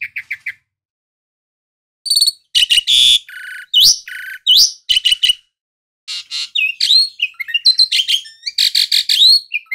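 An Asian pied starling sings a jumbled, high medley of chirps, clear whistles and harsh rasping notes in quick bursts, broken by short silent pauses.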